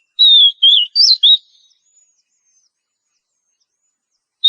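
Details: Oriental magpie-robin, a female in breeding condition calling the male: four clear high whistled notes in quick succession, some level, one sharply rising and falling, then a long silence before one more whistle at the end.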